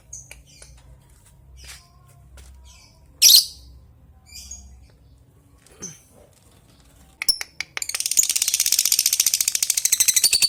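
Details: Lovebird calling an opponent. Scattered sharp, high chirps and one loud squawk give way after about seven seconds to a rapid, continuous chattering ngekek trill.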